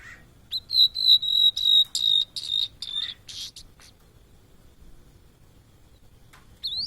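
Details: Blue-and-white flycatcher, a migrant seen in Indonesia, delivers a series of steady, ringing whistled notes, evenly repeated about three times a second, then falls silent before one short high note at the end.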